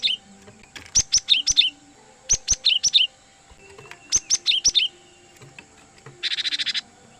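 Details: A cinereous tit recorded as a trapping lure for wild birds gives three bursts of quick, high chirps with downward-sliding notes, followed by a short buzzy rattling phrase, with faint background hum.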